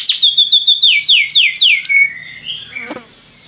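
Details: A Belgian canary sings a run of rapid, downward-sweeping whistled notes, about eight in quick succession, then a drawn-out tone and a brief click as the phrase fades; meant to prompt other canaries into song.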